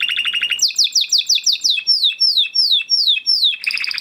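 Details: Spanish Timbrado canary of Huppe (crested) type, bred 2020, singing training song: brief fast trill, then a series of clear downward-sliding whistles roughly three per second, closing with a brisk rolling trill.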